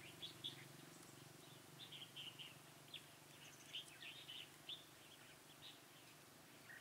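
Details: Red-whiskered bulbul at a trapping site on 1 November 2017, singing with tail fanned. Short bright chirps and warbled notes come in scattered bursts about every half second, over a steady low hum.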